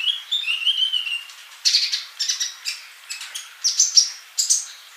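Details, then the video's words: Sunbird (kolibri) song for masteran: it opens with thin, slightly wavering whistles that glide upward, then breaks into bursts of sharp high chirps with short pauses between them. "MASTERAN UNTUK BURUNG COLIBRI GACOR"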